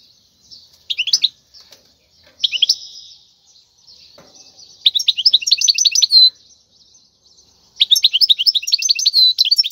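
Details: Wild European goldfinch singing a khalwi-style song used to teach young goldfinches, delivered as separate bursts of quick twittering, buzzy high notes, with short pauses between phrases and a longer, denser run near the end.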